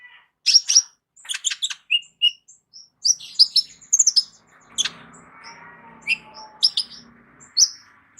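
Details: Captive Van Hasselt's sunbird with a rich, full repertoire, kept as a vocal tutor for other songbirds: sharp high chirps and short tweets in quick bursts, with a faint lower warble underneath midway.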